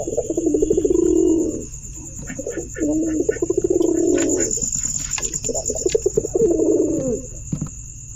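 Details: Pigeon calls in three long bursts of low, vibrating, purring coos, each lasting over a second with short gaps, clicks between them, and a constant high-pitched whine and low hum behind.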